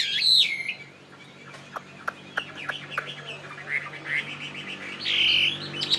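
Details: Chinese hwamei, a fighting bird: a loud bright whistled burst at the start and again near the end. Between them come softer scattered notes and dry tapping clicks.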